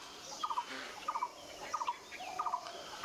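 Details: White-vented myna, found as great myna, foraging for seeds on a Callistemon shrub, gives a quick, throaty triple note repeated about every two-thirds of a second, over a faint background hiss.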